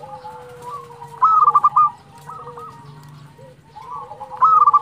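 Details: Zebra dove of local stock, actively singing to provoke rival birds to reply: two loud bursts of rapid, pulsed cooing notes about three seconds apart, separated by quieter coos from other doves nearby.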